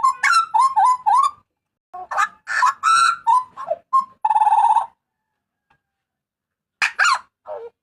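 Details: Strident Papuan butcherbird cries, used for tutoring and luring: quick, choppy harsh notes, then louder rasping phrases, a buzzy sustained note near four seconds, a long gap and two final falling squawks.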